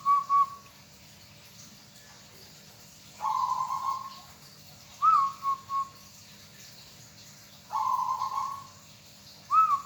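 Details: Local zebra dove, a hobby cage bird, repeating its cooing song about every two seconds, alternating long level coos with phrases of a rising note followed by two short whistles.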